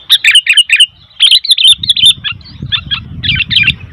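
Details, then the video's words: Noisy sooty-headed bulbul chatter: a fast series of bright, warbled chirps, a short pause, then more jumbled chirping notes as a low rumble rises underneath. "Suara Burung Kutilang ribut"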